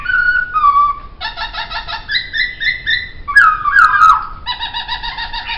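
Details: Poksay song from a songbird training recording: falling whistles, then long runs of rapid pulsed nasal notes, a loud tumbling whistled flourish and another pulsed trill.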